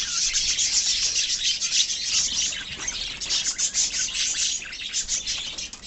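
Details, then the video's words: Many budgerigars of a love birds colony chatter together in high, scratchy warbles and quick chirps, a constant overlapping babble that turns more pulsing toward the end. "love birds colony"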